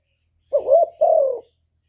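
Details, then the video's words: Single lure call from a decoy spotted dove meant to draw wild males: a low wavering coo running straight into a longer, gently falling second coo. "CU gáy Mồi Cực hay hạp bổi thúc gù bổi ghét, tiếng chim cu cườm, cu đất"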